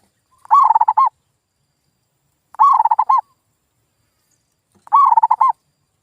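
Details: Zebra dove lure call, used to provoke silent local wild doves into answering and calling again: three bursts of rapid staccato cooing notes, each about half a second long, repeated roughly every two seconds against a silent background.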